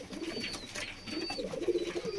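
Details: Pigeons kept in cages give low, bubbling coos that grow louder toward the end, with thin high whistles of small birds and light cage rattling behind them.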